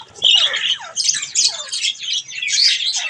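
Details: Budgerigars at bath time, indoors, giving loud, harsh, scratchy warbling chatter that runs almost without pause, with squeaky notes and brief rasping bursts overlapping through the recording.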